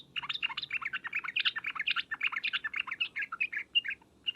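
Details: Sooty-headed bulbul 'ngriwek uplik uplik' lure call: a continuous torrent of fast, varied, bouncing notes running through the whole stretch without a break.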